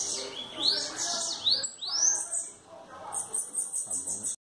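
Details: Bananaquit singing face-on; several high rising whistled sweeps followed by a fast, buzzy, high trill that ends abruptly.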